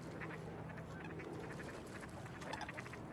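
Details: Coot giving a few short, sharp, nasal calls as coots jump into the water for a swim, with a pair of calls near the start and another near the end, over a steady low hum and wash of background noise.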